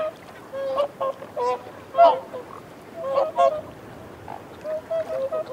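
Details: Feeding whooper swans on a bank trade soft reassurance calls up close: scattered, nasal, bugle-like honks, some in quick pairs, with a louder cluster midway and brief quiet gaps.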